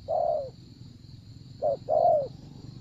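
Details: Spotted dove used in decoy trapping, cooing: a low, hollow coo followed after a pause by a short note and a longer, falling coo. A steady high hiss runs throughout.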